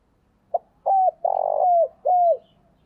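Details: Spotted dove used as a decoy to draw in wild birds, giving one full phrase: a brief tap, a level coo, a long rough rolling coo that slides downward, then a last coo falling away.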